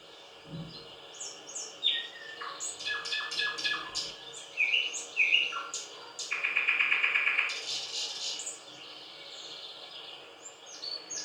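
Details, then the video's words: Thrush nightingale sings a powerful, varied song in unhurried phrases: scattered whistles, bursts of rapid repeated notes and a loud sustained rattling trill lasting about a second, then quieter high notes, over constant low hiss. "Соловей поёт / Восточный соловей"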